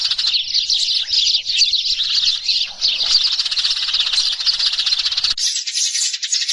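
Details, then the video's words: Flock-calling sparrows recorded as a lure: a busy mass of bright, high chirps and short trills from many birds, ending with an abrupt change to a thinner, higher hiss. "Tiếng chim sẻ mồi chuẩn và tự nhiên nhất.. Chia sẻ tiếng chim sẻ gọi đàn.. Tiếng chim sẻ gọi bầy hay"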